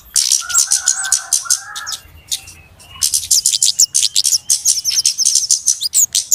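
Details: Busy flowerpecker lure recording for bird trapping. Dense high ticking chirps, with lower drawn-out tones in the first two seconds, then a fast, crowded twitter of sharp notes.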